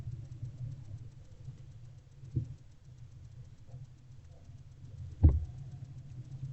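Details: Low rumbling background noise with two brief knocks or thumps, and no animal voice heard.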